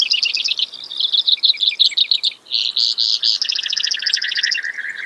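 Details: Brewer's sparrow: a sequence of rapid, high trills, each at a different pitch, joined after a brief pause by a buzzier phrase and then a lower, evenly pulsed trill.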